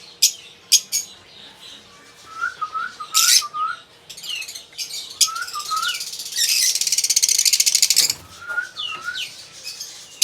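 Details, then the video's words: Pet lovebirds giving sharp shrill chirps and squeaky upslurred notes in quick series, with bursts of dense harsh chatter and a brief rustle near the end. "Amar Love birds"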